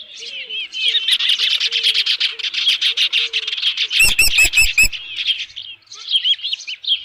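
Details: Loud, rapid chirping from an osprey at its nest holding a headless fish, 27 June 2018 around midday; the notes pour out almost continuously, broken by a few sharp clicking knocks in the middle.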